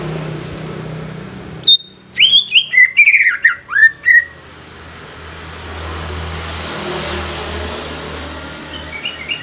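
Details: Song of a young greater green leafbird used as a lure for other leafbirds: a short rapid sequence of sharp, bending whistles lasting two seconds, framed by steady low traffic-like rumble before and after.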